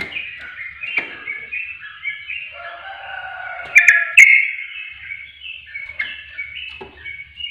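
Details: Busy, chattering warble of a sooty-headed bulbul with overlapping notes and a lower humming strand, broken by two loud, sharp chirps midway. Intended as a provoking lure.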